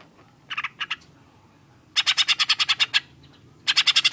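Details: Green leafbird in a collaboration song featuring cucak jenggot material with harsh bursts: short rapid chattering notes at 0.5 s, then a fast series of about twelve sharp repeated notes, ending with another quick burst; faint low background hum.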